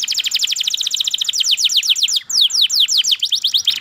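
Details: Canary in full song, fast rolling trill of sharply falling chirps that slows midway into wider, louder swoops, all high-pitched and continuous.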